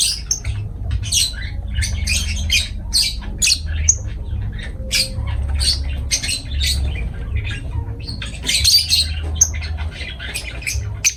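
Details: Lovebird parrots chattering with dense, rapid harsh squawks and sharp high chips, many overlapping calls over a low background hum.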